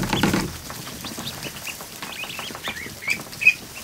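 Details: Newly hatched ducklings crowded in a kiddie pool in a barn; a loud splash opens, then thin high peeps from many chicks build up, with one or two sharper calls toward the end.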